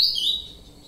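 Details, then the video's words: An ultramarine grosbeak gives a single clear, high whistled note that slides slightly downward and fades within a second, with no other sounds. "canto azulão"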